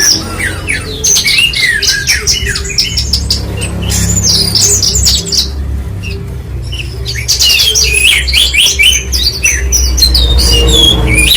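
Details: Australasian bush lark (branjangan) singing: a busy stream of high chirps, trills and sliding whistled notes, pausing briefly mid-way, over a steady low hum and faint music.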